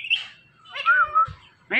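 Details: Talking Indian ringneck parakeet giving a high thin note, then a harmonic speech-like phrase with a clear whistled arch, two short low thumps and a sharp closing syllable.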